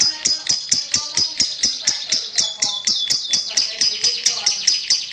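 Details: A champion lovebird keeps up rapid, shrill, repeated chirps in an even, insistent rhythm. A faint lower murmur sits beneath the high notes.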